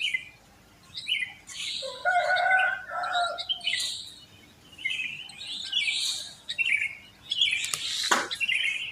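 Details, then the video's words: Post-dawn chorus of many sooty-headed bulbuls around a housing complex: bubbly, warbled lower phrases between 2 and 4 seconds among busier high chirps, with a sharp click near the end. "Pancingan Ampuh untuk Terapi Burung Kutilang Malas Bunyi"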